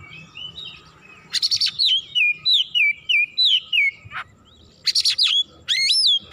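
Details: Oriental magpie-robin in agitated, heated song showing its full repertoire: loud whistled notes sliding down and up, mixed with harsh buzzy bursts, delivered in quick repeated phrases about three per second, with quieter passages between.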